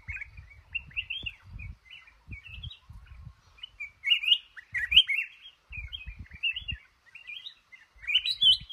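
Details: Male red-whiskered bulbul singing from a trap in a cashew garden: a steady run of short, chirpy whistled phrases, loud bursts at intervals, over occasional low bumping noises.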